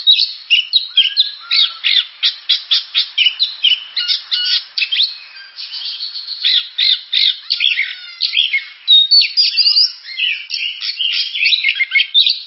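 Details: Oriental magpie-robin singing a dense, rapid series of varied chirps, harsh notes and short whistles, continuous for over twelve seconds with a few gaps.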